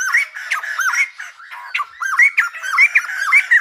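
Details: Silver-headed babbler, described as singing like a lumba dancer, gives fast looping whistles with bright upswept tips, in short clustered phrases broken by a brief lull midway.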